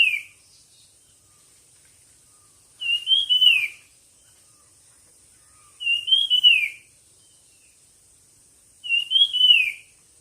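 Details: A bird sings in a song competition with a sweet whistled phrase, rising then descending. It repeats steadily about every three seconds, with quiet gaps between.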